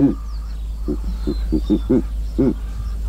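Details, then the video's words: Low, throaty grunts from a giant eagle-owl filmed in Kruger National Park: an opening note, a pause, then a rapid run of five short pulses and a final grunt. Soft birdsong sits far behind. "Rare And Beautiful "Sights And Sounds" Of The Giant Eagle Owl"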